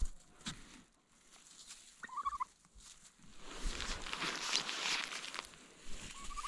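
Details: Turkeys sound the alarm on hearing noises in the forest, giving short, nasal, slightly rising calls with a burst of rough, rattling gobbling in the middle over a steady background hiss.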